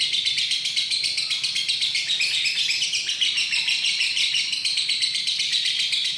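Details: Lovebird in extended 'ngekek' song, dated 31 January 2019: an unbroken stream of shrill, scratchy twitters and chirps at a fast, irregular pace, filling the whole stretch without a break.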